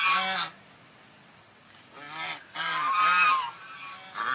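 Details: Calling swan: one brief nasal honk, a second of quiet, then three quick honks run together in a rough, bugling sequence.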